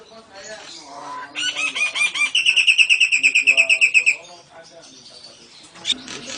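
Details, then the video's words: Actively singing Nias hill myna imitating lovebird and canary in an extended ngekek passage: soft warbling, then a rapid, steady string of loud, ringing high notes lasting about two seconds before stopping abruptly, with faint chirps afterward. "Kicau Jalak Nias Gacor Istimewa Variasi lovebird & Kenari AF NGEKEK"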